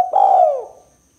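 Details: Spotted dove in kuk 2 style, for luring and prompting birds: a single full, low coo that holds steady, then slides downward and fades, in a quiet setting.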